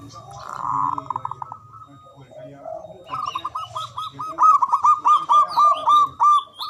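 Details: Local Javanese zebra dove with a big, loud voice and long breath, singing to draw silent doves into song. Murmured, muffled sounds at first, then a fast run of clear, hooked cooing notes that grows louder. Faint chirps from other birds sound above.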